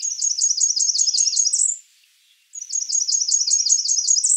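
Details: Two phrases from a Blackburnian warbler calling, each a rapid string of very high, thin repeated notes ending on a rising squeak, with a half-second pause between them.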